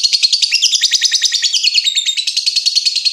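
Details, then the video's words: Lovebird giving a long ngekek trill, the style used as a training recording for other lovebirds: rapid, dense, high chattering notes that run without a break for the whole stretch. "SUARA BURUNG LOVEBIRD NGETIK NGEKEK PANJANG"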